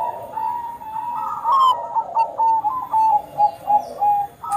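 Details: Perkutut bangkok (zebra dove) in active song, meant to trigger other doves' singing; an even, soft opening, then evenly spaced pulsed coos about twice a second, with a faint higher chirp.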